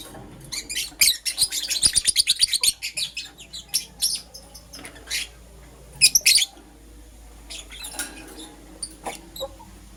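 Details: Pet lovebirds, a Green Personata and a Yellow Pastel Pied, in the morning: a fast chattering series of harsh high chirps, then slower single squeaks, a loud double chirp, and sparse softer calls fading out.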